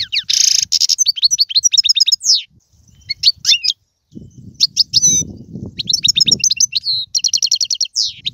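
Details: European goldfinch, song in the tiwawati, galoubi and serfati styles. It begins with a buzzy trill and fast twitters, then comes a quieter stretch with a low background rumble, and fluent chattering phrases resume.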